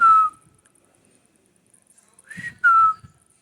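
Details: Pet green parrot talking: a short clear whistled tone that slides downward, then after a pause two more voiced syllables, a rising note and a falling whistle, sounding like "me too"; the room is otherwise quiet.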